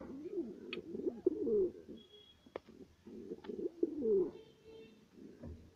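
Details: Satinette fancy pigeons bred at home: two clear bouts of rolling, wavering coos, each about a second long and rising then falling in pitch, separated by a quiet pause with a single sharp tap.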